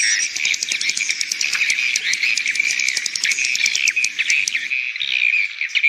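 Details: Calling for young swiftlets: a continuous mass of high twittering chirps with fast clicking ticks, thinning briefly near the end before the chirps resume.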